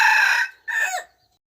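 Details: Rooster crow used as a lure, from a bird said to crow very well: the tail of a harsh, harmonic crow holding steady then fading, followed after a short gap by a final syllable that dips downward, no other sounds.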